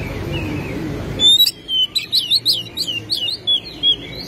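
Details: An Oriental Magpie-robin, described as singing with its tail spread and showing off its repertoire, sings a quick run of clear, high whistles, with varied rising and falling slurs several times a second, after a brief low rumble.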